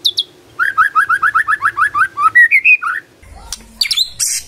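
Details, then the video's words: Magpie-robin delivering about a dozen rapid upslurred whistles in an even series, climbing slightly at the end, followed by a harsh, noisy squawk. "Murai Nyaut Gacor"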